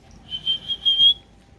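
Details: Dancing, talking pet cockatoo gives a single steady high whistle, drawn out for just under a second and lifting slightly at the end, over quiet room noise.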